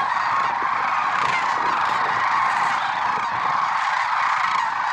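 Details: A large flock of Lesser Sandhill Cranes calling together in the early morning at Merced National Wildlife Refuge on 6 February 2023, many rolling, trumpeting calls merging into a steady, unbroken chorus.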